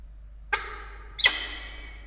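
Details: Peregrine falcons at their nest in Australia during the evening feeding of two chicks, 16 October 2022, on a nest camera: two harsh, harmonic-rich calls about 0.7 seconds apart, each starting abruptly and fading.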